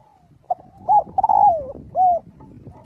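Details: Spotted dove cooing to call the flock while practising its voice daily; a short note, a longer falling coo, then a rounded final coo over low background rumble.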